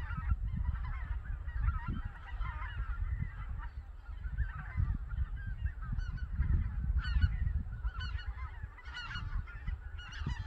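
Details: Winter morning at Cheorwon, Korea: white-fronted geese that slept on Togo Reservoir fly out to the Cheorwon Plain for breakfast. Many overlapping, yelping calls, sharper and busier toward the end, above a continuous deep rumble.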